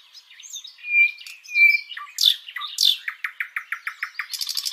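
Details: Live nightingale song opening with soft, pure drawn-out whistles, then loud sweeping notes, a run of short repeated chips quickening in pace, and a closing buzzy trill.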